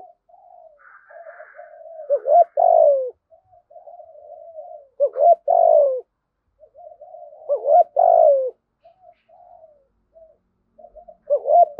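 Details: Spotted dove calling to attract other doves with its loud drumming coo; soft low murmuring notes build into emphatic hoarse coo phrases about every three seconds, repeated through the recording.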